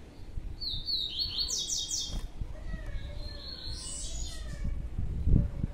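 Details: Separated pair of young captive Blue-black Grassquits: a burst of high slurred chirps in the first two seconds, a later softer chirp, amid low rumbling handling noise and a sharp click near the end.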